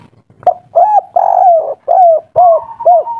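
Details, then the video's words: Noisy, agitated spotted dove of local wild stock, 'kuk 3' caller: a sharp click, then deep hollow coos, one long and wavering downward, ending with short rounded notes and a buzzy tail. "Derkuku tekukur kuk3 lokal alam asli ngamuk bikin ribut || suara besar"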